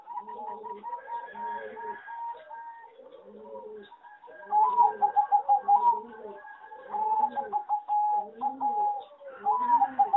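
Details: Singing zebra doves from breeding farms, bred for competition and judged poor singers, repeat trilled coo phrases, each followed by lower, arching coos, with several birds overlapping.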